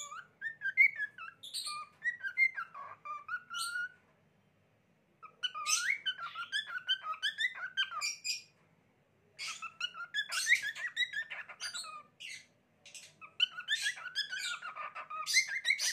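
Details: A lutino cockatiel sings a warbling run of whistles mixed with chirps and harsh buzzy notes, in bursts.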